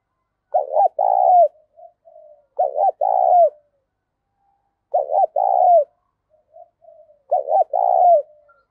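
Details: Loud, clear spotted dove song in the thổ pha style; four phrases about every two seconds, each a quick double coo then a long burred note sliding down, with soft trailing coos between.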